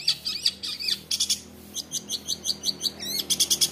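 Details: Long-tailed shrike singing a 'roll tembak' song meant to rouse rival shrikes. Clusters of high chirps give way to evenly spaced single notes, ending in a quick burst, over a low background hum. The bird was taken from the wild young and is a fighter.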